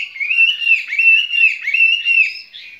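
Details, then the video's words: Skylark kept in a cage delivers a continuous flowing warble, its high notes sliding up and down in smooth, looping phrases without a break. "Chim quý ở lồng son ca bản tình ca mùa xuân cho anh em nghệ nhân"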